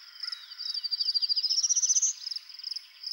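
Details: Male prairie warbler, a rare bird in Ontario, singing on his territory one Sunday morning after a storm to advertise for a mate: a rapid series of thin, buzzy high notes climbing steadily in pitch, then fading into softer repeated notes.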